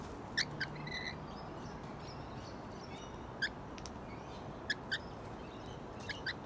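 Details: Wild rainbow lorikeets, regular visitors to a balcony: short, harsh screechy calls in quick pairs and singles at irregular intervals, with fainter whistled notes from other birds and a steady low background hum.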